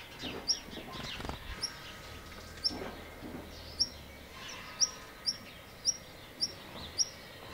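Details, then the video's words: A black redstart filmed up close calls repeatedly with brief, high, clipped notes, slow at first, then steadier about every half second toward the end, over a low murmur of outdoor noise. "Hausrotschwanz vor der Kamera. Black Redstart observation"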